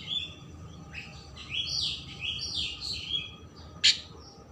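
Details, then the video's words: Rich, varied Oriental magpie-robin song meant to stir emotion and tail opening in another bird: a continuous run of sweet whistled and warbled notes, then a sharp harsh note near the end, over faint background hum. "Kacer Gacor Isian Mewah Merangsang/Perangsang Emosi Buka Ekor"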